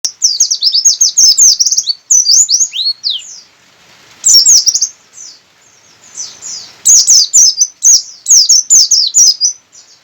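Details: Javan white-eye of the buxtoni type, local to Sukabumi, singing persistently with open beak: rapid high twittering bursts of sweeping, slurred notes, broken by short pauses and resuming in dense rattling runs.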